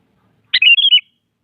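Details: Sooty-headed bulbul singing in the morning, challenging a rival to a song duel; one short bright phrase under a second, an opening burst then several slurred whistled notes near the same pitch, clean quiet background.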